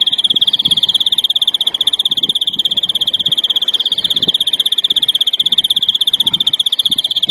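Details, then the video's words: 'Larguero' style song of a European greenfinch, recorded for educating young birds: one unbroken, rapid, rattling trill of even pulses held steadily throughout, with faint low thuds beneath. "verderon larguero educacion para noveles"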